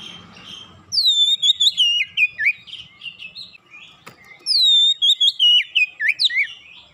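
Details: Oriental magpie-robin (kacer) singing fast in vigorous 'gacor' style after being lured once: loud, clear whistled phrases sliding and dipping, delivered as rapid bursts of varied notes in two runs separated by a short quieter pause with a faint click.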